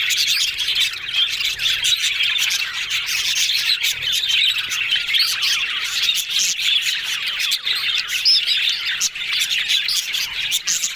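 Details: Yellow budgerigars heard as a group, described as happy and talking: a dense, continuous warbling chatter of overlapping high chirps and squeaky notes, with sharp clicks scattered throughout and no pauses.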